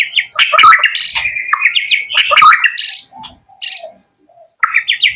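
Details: Pet young male white-rumped shama pouring out a dense, lively song of mixed whistles, buzzy trills and clipped chirps, then a brief quieter gap and a renewed run of rapid ascending notes.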